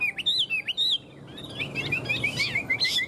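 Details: A tame caged Chinese hwamei sings a few loud wavering whistles in the first second, followed by softer, quicker warbled notes continuing to the end.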